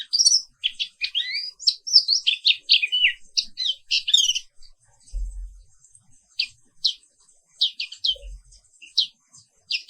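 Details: Black-capped white-eye singing in the morning, a rapid jumble of high twittered chirps early, thinning to spaced single chirps later, with two brief low thumps.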